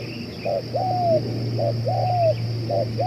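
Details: Decoy spotted dove, said to coo for two hours on end: soft, slightly quieter phrases of a brief coo then a long, gently descending note, repeated three times over low droning hum.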